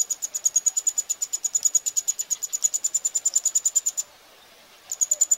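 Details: Eurasian wryneck nestlings begging during feeding at Pribytki, Russia, on 2 July 2018. Shrill, evenly pulsed buzzing repeats about three times a second for four seconds, stops briefly, then resumes.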